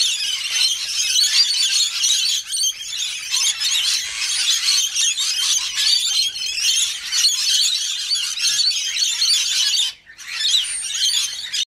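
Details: Flock of wild lorikeets calling noisily during morning feed time in a neighbourhood; unbroken shrill screeching and chattering from many birds, with a brief drop near the end.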